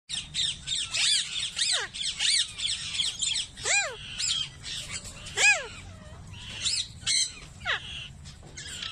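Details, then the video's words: Alexandrine parakeets mating: loud, harsh squawks with repeated arching notes that sweep up then down, about a dozen bursts over nine seconds, some overlapping in rapid chattering clusters. "تزاوج الببغاء النيبالي"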